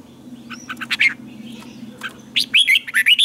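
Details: Red-whiskered bulbul in morning song training, scattered chirps at first, then a loud run of bright, twisting whistled notes near the end over a low steady hum.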